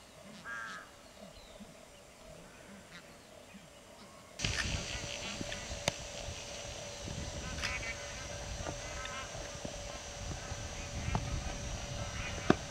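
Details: Flock of Bar-headed Geese feeding on marshy grassland near cultivation outside Kaziranga National Park, Assam, India, give scattered nasal honks. A steady broad hiss and occasional sharp clicks cover much of the sound after the first seconds.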